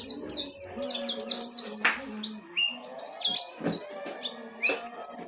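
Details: Oriental white-eye song in dakun wilis ngerol nembak style: high, sharp slurred chirps in quick clusters, some longer wavering whistles, rapid and restless, over faint low background sounds.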